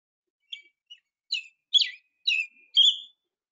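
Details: American robin song, a repetition of whistles back to back: six short, clear whistled phrases in about three seconds, each slightly different in pitch, with brief pauses between.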